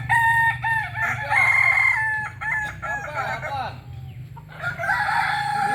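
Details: >Purebred Kukuak Balenggek rooster from Solok, West Sumatra, crowing in long harmonic phrases with steady held notes and a stepped, multi-part pattern. Shorter arched calls overlap it, and a low hum runs underneath.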